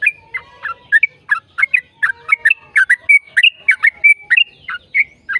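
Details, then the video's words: Yellow-vented bulbul in long, rapid 'ropel' song, used as a lure to prompt other bulbuls to sing: a fast run of bubbly, liquid notes, some rising and some falling, with short whistled slurs in between. The background is quiet. "PANCINGAN TRUCUKAN AGAR BUNYI burung TRUCUKAN GACOR ropel JADIKAN burung trucuk GACOR NYAUT"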